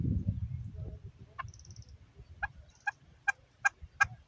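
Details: Chukar partridge, female, uttering a handful of separate clucks about half a second apart over low rumbling background noise.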